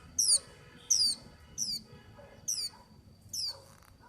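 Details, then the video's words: A white-eye sings a series of five thin, high, falling whistles spaced under a second apart, each with layered overtones, against low background noise. "Tiếng chim vành khuyên hót"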